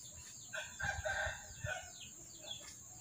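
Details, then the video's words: White rooster giving a harsh, harmonic crow lasting about a second in two bursts, low-pitched and somewhat faint, with small birds chirping and a steady high insect hiss in the background. "Ayam Jago Putih"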